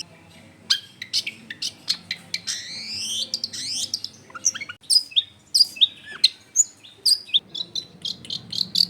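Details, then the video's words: Long-tailed shrike lure song to draw replies from other shrikes, recorded at home in a packed residential area: scattered sharp ticks, a rising buzzy slur, then a quick string of high piercing whistles and chirps. "SUARA CENDET GACOR PIKAT AMPUH BIKIN BURUNG CENDET LAIN LANGSUNG ON DENGAN MUDAH NYAUT GACOR DOR"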